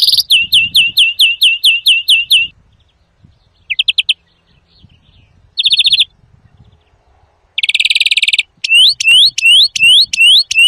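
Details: Strong greenfinch song for luring and teaching: a run of rising chirps, brief trills separated by pauses, a dense buzzy burst, then rising upslurred notes repeated about twice a second.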